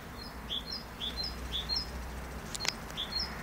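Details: Great tit song: a clear, high two-note phrase, a thin upper whistle then a lower, stronger note, repeated about six times at a steady half-second pace over low rumbling background noise, with one brief click-like sound.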